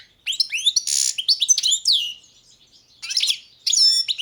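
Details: Twittering song of a Balkan European goldfinch with a harsh buzzy note among rising chirps and downslurs, a pause, then two shorter tinkling phrases with clear whistles.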